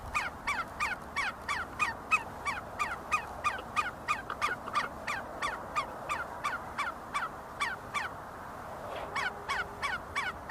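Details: See-see partridges at the University of Sulaimani in Kurdistan, foraging and fighting, call in a fast steady train of abrupt, descending nasal notes about three a second, with a short gap near the end before resuming.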